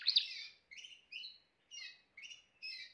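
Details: Short Timbrado canary passage: a sharp opening chirp followed by five or six separate bright whistled notes spaced about half a second apart.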